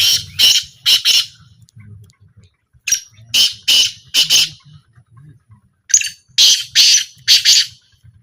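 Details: Black francolin calling during a trial, loud harsh rasping notes in tight bursts of two or three, repeated after short pauses, with a faint low hum beneath.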